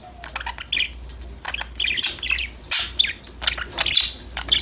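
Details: Budgerigars singing and chirping together, bubbly warbled phrases and rapid stacked chirps in lively bursts, one bird's notes overlapping another's, with a soft low hum underneath.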